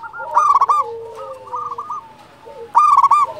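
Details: Champion local zebra dove in full voice gives two bright bursts of rapid, rolling coos, near the start and end, with softer drawn-out cooing from other doves between.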